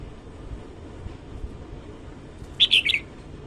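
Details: Red-whiskered bulbul singing in the morning, recorded without background noise: a brief burst of three or four quick, bright chirped notes near the end, after a stretch of quiet hiss.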